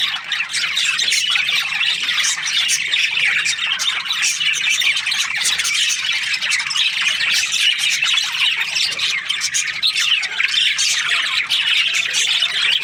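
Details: Budgerigar flock in breeding season chattering nonstop, a loud even blanket of harsh squawks and high twittering notes, many birds calling together.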